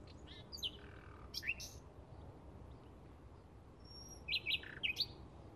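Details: A Bluethroat in May 2016 gives short bursts of high, sharp chirps and ticking notes in three brief groups, with faint low background noise between them.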